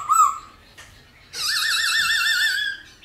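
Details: Black-throated laughingthrush singing in the 'giọng già rừng' (old-forest voice) style, many-voiced, used to stir and train wild-caught birds: a short rich whistle, a pause, then a long loud wavering whistle with steady vibrato.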